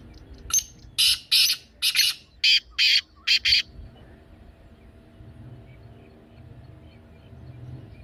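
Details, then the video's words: Harsh series from a black francolin, offered to make a pet bird begin calling: eight rough, rasping notes in about three seconds, the later ones shorter and paired, then quiet. "کالا تیتر کی بولتی آواز سن کر تیتر مست ہو جائے"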